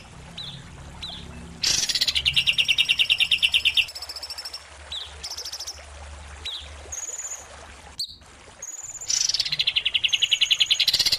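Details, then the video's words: A greater green leafbird (cucak ijo) in a bird-training song mix pitting it against a kapas tembak gives fast, buzzy, rattling trills and sharp high whistles in bursts, mixed with other songbird phrases. "Tembakan Dasyat kapas tembak VS cucak ijo prestasian"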